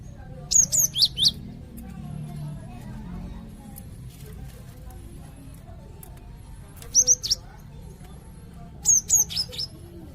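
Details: Kept Cinereous tit, valued by songbird fans as a master bird for tutoring others: three groups of rapid, piercing high chirps, each group four or five notes, spaced several seconds apart over low background hum.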